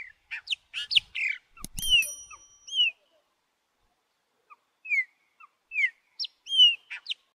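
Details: Chopi blackbird singing alongside its chicks, females of the species also singing: a rapid run of chattering, whistled notes, then after a click a quiet pause and spaced, clear rising and falling whistles.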